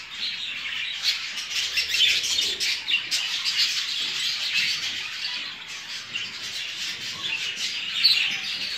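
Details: Show jumbo budgerigars raised for breeding fill the air with busy twittering and warbling, rising and falling in loudness, with a sharp chirp near the end.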